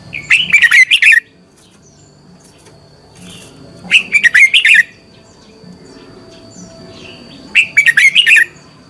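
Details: Dueling song from a red-whiskered bulbul lure bird, used to prompt singing in other bulbuls: three clipped, rich warbled phrases, each near one second, spaced about three and a half seconds apart, with a soft background hum.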